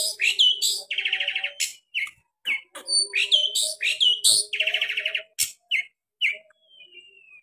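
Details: Long-tailed shrike singing energetically in a sharp 'tembakan' variation style: quick varied phrases mixing clear whistles, slurred upswept notes and dense buzzy trills, closing with a thin, long descending whistle.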